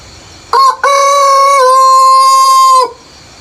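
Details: Rooster crowing in the early morning before sunrise in peaceful countryside: a short opening burst, a brief break, then a loud, long, steady crow held for about two seconds before it cuts off, over a quiet background.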